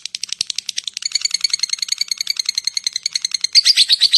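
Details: Lovebird (labet) ngetik and ngekek calling to lure other lovebirds: uneven ticking notes build into rapid harsh chatter, closing with a louder burst of rasping notes.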